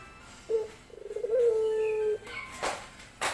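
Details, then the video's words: Courting male dove: a short note, then a fluttering pulsed phrase sliding into a steady, low, drawn-out coo, followed by faint clicks and rustling. "Rintihan Pelung Jantan Mencari Betina"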